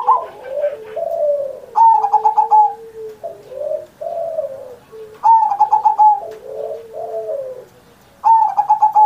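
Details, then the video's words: Vigorous zebra dove performance from Indonesia, played to encourage young caged doves to sing: mellow low warbled coos lead into crisp bursts of rapid, evenly spaced higher notes, three bursts within nine seconds. "Perkutut Masteran Manggung Gacor Mancing Burung Lain"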